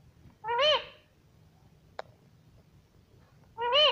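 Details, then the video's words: Chatty pet parrot that is said to say "mummy papa" gives two matching nasal, voice-like syllables about three seconds apart. Between them there is a single sharp click in a quiet room. "मम्मी पापा बोलता बातूनी तोता || parrot sweet voice"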